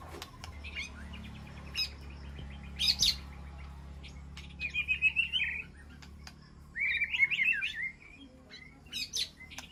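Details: White-rumped shama calling to its flock inside an aviary: sparse sharp ticks and chirps, then two quick rattling whistled phrases in the second half, over a low background hum.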